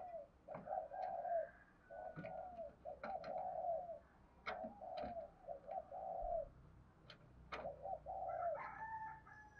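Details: Spotted dove cooing as lure and training sound for birds, phrases of short coos ending in a longer falling coo, repeated about every two seconds over faint background noise and clicks.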